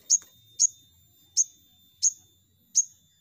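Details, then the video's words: ['Crimson sunbird call used as a lure to get birds singing fast: five sharp, very high chips spaced about half a second apart, with a faint steady tone behind.'] "Pancingan Sogon Bahan Cepat Nembak"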